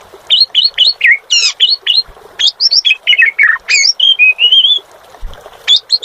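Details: Asian pied starling, called jalak suren, singing continuously: a run of bright repeated whistled notes, buzzier descending slurs, then a long undulating whistle before brief closing chips.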